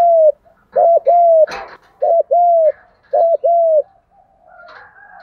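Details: Spotted dove coo in the 'thúc gù' style used to train lure birds; three double coos of short then longer falling notes, with a brief rustling burst between the first two and faint background noise near the end.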